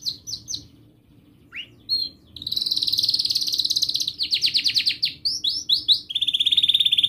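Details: Canary singing long, melodic gacor song for tutoring young canaries. Scattered chirps and an upward slide open into a rapid buzzing roll, followed by choppy swooping bursts and a steady high trill.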